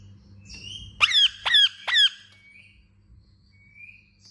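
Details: Indian ringneck parakeet gives three loud, harsh, ringing chirps in quick succession, each about half a second apart, each dropping slightly in pitch. Faint softer chirps come before and after, over a low steady hum.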